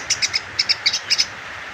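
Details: Sunbird learning to sing: clear, thin, high chirps given in quick groups of two or three, about nine notes within little more than a second, then a pause of quiet background.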